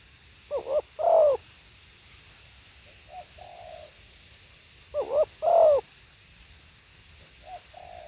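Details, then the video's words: Spotted dove singing live: low mellow cooing phrases of two short quick notes followed by a longer, louder drawn-out croo and then a softer trailing coo. The phrase is repeated twice about four and a half seconds apart over a faint steady hiss. "เสียงนกเขาใหญ่ สด | suara tekukur"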